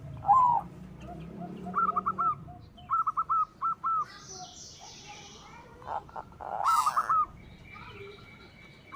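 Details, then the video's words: White zebra dove song meant to spur other doves to sing; short clusters of clipped cooing notes come in three or four groups between knocks, clatter and background noise. "Suara Perkutut Putih Gacor PANDAI MEMANCING Bunyi, Menaikan Birahi Bikin Gacor Semua Jenis Perkutut"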